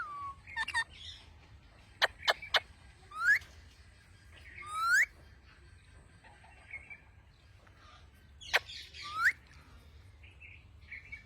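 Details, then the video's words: Parrot called mian mithu, a talking bird, making sharp dry clicks alternating with short upswept whistles and soft chatter at intervals, with quiet pauses between bursts. "Talking parrot. Mian mithu."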